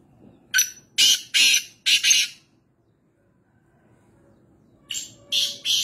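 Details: Black francolin, locally called kala teetar, recorded at home in Nawabshah, Pakistan: harsh, grating, scratchy notes given in two bursts of four or five, a pause of about two seconds between them, with no other clear sounds.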